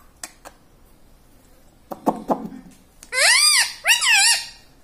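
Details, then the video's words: Pet parrot that talks, saying "mummy" and "radhe radhe": soft taps, then two arched, whiny, strongly harmonic word-like calls close together near the end. "talking parrot mummy ||mummy bolne vala parrot ||radhe radhe vala parrot"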